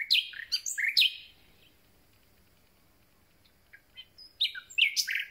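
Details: Common nightingale that has just arrived, delivering loud varied chirps and whistles in a short burst, silence, then another rapid jumble of sharp notes.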